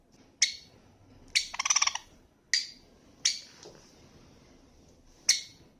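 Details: Pet Java sparrow calling: separate bright chip notes with a brief rapid stuttering burst of clicks in between, quiet background.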